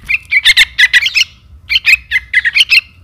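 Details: A Yellow-vented Bulbul chick calling for its parent, used as a lure sound: rapid, harsh, chattering chirps in tight bursts of two to four notes, pausing briefly between clusters.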